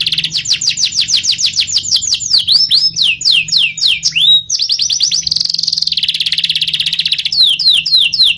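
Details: Canary in vigorous gacor song with rolling and shooting phrases: a rapid rising series of swept notes, then several deep descending whistles, a buzzy roll and a trailing series of falling notes.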